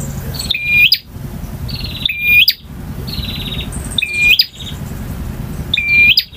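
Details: Repeated song of a male bar-winged prinia: a buzzy high trill leading into a sharp whistled hook, given four times roughly every one and a half seconds against a steady low rumble.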